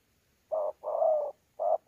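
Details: Wild-caught spotted dove with a thổ pha contest voice plus gù notes, Sa Thầy, Kon Tum, 26 November 2019. A short hollow coo, then a longer level coo, then another short note. The background is quiet.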